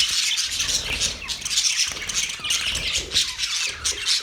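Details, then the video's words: Budgerigars keep up a steady high twitter, with thin chirps and rasping squawks blended into a constant chorus. "Budgie chirping sound"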